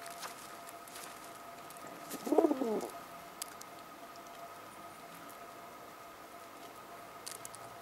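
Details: Keeping her chicks in order and talking to them, a mother pigeon utters one brief, low, rolling coo of under a second, surrounded by soft ticking and tapping noises.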